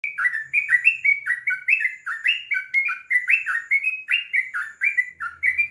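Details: Sooty-headed bulbul singing a long, continuous run of rich, bubbly whistled notes, each sliding downward, delivered about four per second with little variation in pitch.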